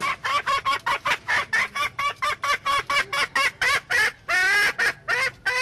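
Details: Junglefowl hen producing a run of regular loud clucks, then a long wavering squawk and a final cluck.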